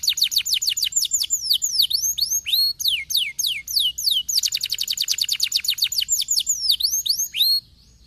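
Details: Singing canary meant to rouse lazy canaries into song, pouring out rapid rolling trills of swooping, high whistled notes, with a quick dense rattle midway, then stopping abruptly, over a soft low background hum.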